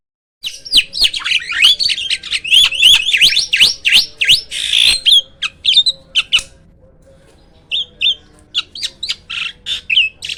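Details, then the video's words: Hybrid myna singing loudly, a rapid run of sharp rising and falling whistled notes with clicks and harsh bursts, pausing midway before scattered chirps resume. "MISTERI JALAK HYBIRD ‼️ SUARA KERAS KICAU LANTANG ‼️"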